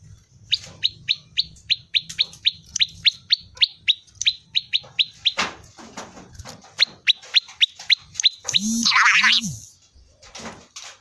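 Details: Prinia (prenjak lumut) giving its ceng-ceng song: a long steady series of short, sharp, upward-flicking notes, about four per second. A brief harsh burst near the end is followed by scattered clicks.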